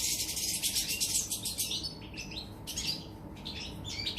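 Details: European goldfinch from 24 August 2019: a dense rushing, fluttering hiss fills the first moment, followed by scattered high twittering and chirping notes over a low steady hum.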